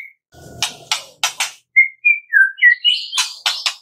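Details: Lure song of a white-rumped shama for getting captive birds to sing, morning to afternoon. Harsh rasping strokes come first, then clear whistled notes at varied pitches, rising into buzzy high scratchy phrases.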